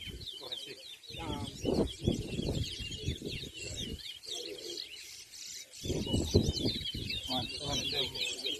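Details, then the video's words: Competing towa towa, or large-billed seed-finch, at a 2023 bird race in Essequibo, Guyana: quick, varied twittering song running steadily while onlookers talk loudly in bursts. "TOWA TOWA BIRD RACE"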